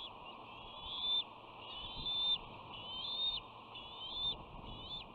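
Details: Bald eagle at the West End nest on 13 June 2019 during a hostile greeting between two sisters: a steady series of high whistled notes, each about half a second long, repeated roughly once a second over constant camera hiss.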